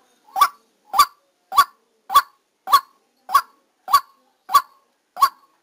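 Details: Decoy white-breasted waterhen recorded during trapping: nine loud, hoarse, honking notes at an even pace of nearly two per second against a quiet background.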